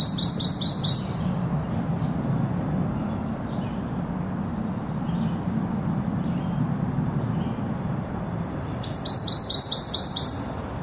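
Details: Prothonotary warbler singing at Skokie Lagoons on 30 May 2010: two loud bursts of sweet, ringing, rapidly repeated upslurred notes, about seven per phrase, at start and end, with faint bird calls and low rumble between.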